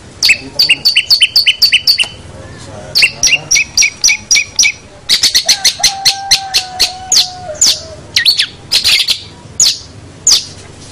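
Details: Master training recording of a Long-tailed shrike: quick runs of repeated sharp two-part notes, then a long thin steady whistle under scratchy chatter, ending in scattered slurred and looping notes.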